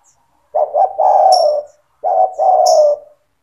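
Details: Spotted dove in gacor song, played to train young doves: two cooing phrases of quick stuttered notes then a long steady coo, a high chirp of another bird over each.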